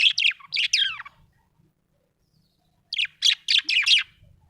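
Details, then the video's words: Happy budgie chirping: two bursts of quick, scratchy, high chirps, several notes each, separated by about two seconds of quiet. "Happy budgie chirping sound"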